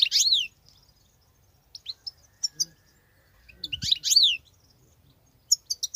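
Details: Wild European goldfinch in continuous singing: short bursts of high twittering and falling tinkling notes separated by pauses, with a few isolated chips between phrases.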